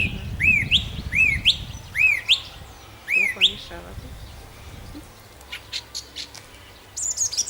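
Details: Nightingale singing at night in Nosivka, Ukraine, on 1 June 2014: a series of four ringing rising-and-falling whistled notes about every three quarters of a second, then softer scattered clicks and a high trill, over low rumbling background noise.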